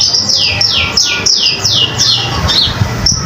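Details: Common iora in full song, recorded as a master for other songbirds: six evenly spaced, sharply falling high whistles about a third of a second apart, then a short pause and a brief high note, with low hum.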